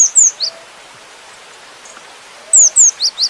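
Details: Cinereous tit delivering varied song: a phrase of three or four bright, high, downslurred whistles, a pause of about two seconds, then another similar phrase.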